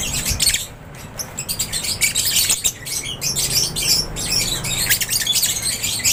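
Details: Lovebirds chirping in an aviary: a busy chorus of thin, high-pitched tweets and shrill squeaks that barely pause, over a soft low hum.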